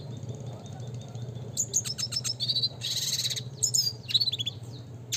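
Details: Classic red siskin training song, starting quietly, then rapid high chips, a buzzy harsh burst and twittered trills, with a low hum behind.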